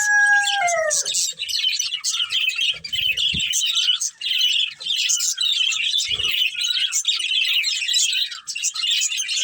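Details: Budgerigar breeding pair: several descending whistled notes open, followed by long, busy, high chirping chatter with occasional low knocks.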